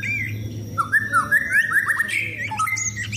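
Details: Caged white-rumped shama out in the sun before contests, delivering a rambling phrase of mid-pitched warbled whistles joined into a continuous flowing line, then short higher notes, over faint low hum.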